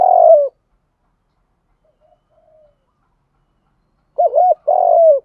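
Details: Low purring spotted dove coo, used to stimulate and lure doves into calling. One phrase ends at the start, then after a silent gap comes a wobbling double note and a long steady coo that sags at its close.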